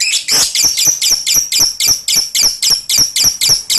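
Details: Lovebird ngekek, the sustained chatter used to train young lovebirds to respond: a loud, unbroken series of rasping, high-pitched notes repeated about four times a second, very even in rhythm.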